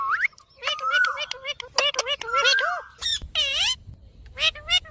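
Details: Indian ringneck parakeet talking as a pet, with a run of wavering, word-like harmonic syllables and a drawn-out whistled note, then a loud descending harmonic squawk and short chatter.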